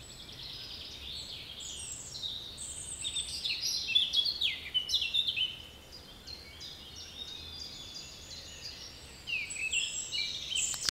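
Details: Woodland birdsong at Bois de Géline, Torgny, with many high chirps and short descending whistled notes overlapping continuously. Activity swells mid-recording over a persistent low background hiss, and the sound ends abruptly.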